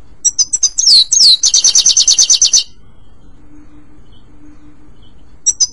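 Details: Singing European goldfinch, used for training caged birds: quick high twitters, two falling slurred whistles and a fast tinkling trill. A pause with a faint low hum follows before the twittering starts again.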